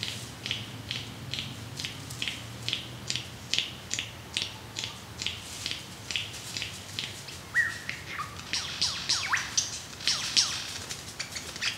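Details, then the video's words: Male lyrebird in Australia dancing to attract a mate gives a long run of sharp clicking notes, about one every half second, with a few whistled slides near the end. "Incredible Lyrebird Mating Dance"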